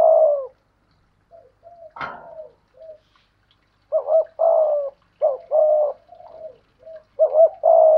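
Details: Spotted dove, a decoy bird cooing in challenge against a wild dove: low hollow coos in short bursts and longer rolling phrases, with one sharp click partway through.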